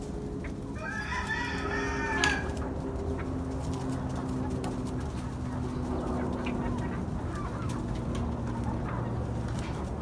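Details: Roosters, hens and chicks at a fairground farm, restless at Halloween while fed fresh pumpkin: a brief burst of stacked, harmonic squawking clucks near the start, then steady low hum and background noise with faint scattered clucks.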